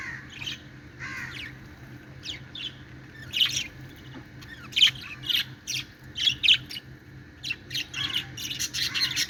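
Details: Budgies playing happily give spaced, sharp high chirps and squeaky notes that grow busier and louder toward the end, over a faint hum.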